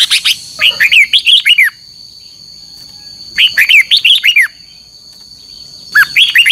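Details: Red-whiskered bulbul performing contest song at morning, with double notes: a second-long burst of six chirpy, curving whistles, a pause, a similar phrase, then the start of a third, a steady high whine throughout.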